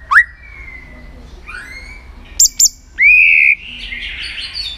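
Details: White-rumped shama in contest song training, with sparse sounds: a short rising whistle, a soft upslur, two sharp high clicks, then a loud sustained whistle trailing into a hiss.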